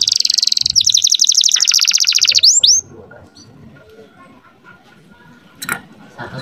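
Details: Young canary singing to excite females into breeding condition: a rapid rolling trill for nearly three seconds ending in two upswept whistles, followed by quiet background with a faint click.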